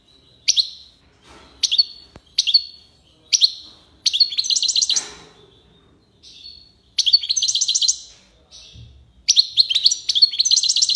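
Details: European goldfinch from Algiers singing in the tiwawati style: short high twittering phrases at first, then longer buzzy, rapidly trilled bursts and a clear note, with brief pauses between them.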